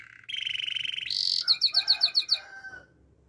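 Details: Canary delivering a training song: a buzzy mid-pitched trill, a brief intense high burst, then about eight clear pulsed whistles before trailing off.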